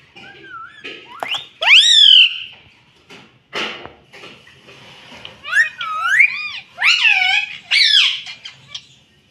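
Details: Talking pet rose-ringed parakeet repeating "mummy": a long rising-falling squawk, then several bursts of wavy, voice-like harmonic syllables spread over nine seconds, with brief noisy rustles.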